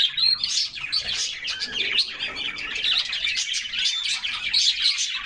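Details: A group of canaries bathing in summer, splashing in a cool bath: dense, continuous high twittering and warbling chatter from several birds at once, with brief trills and sharp chirps overlapping throughout.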